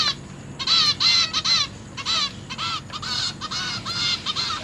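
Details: Captive zebra finch young call to be fed by their parents, September 2023. Loud, nasal trumpet-like notes, each slightly arched, come in irregular runs of two to four with brief gaps.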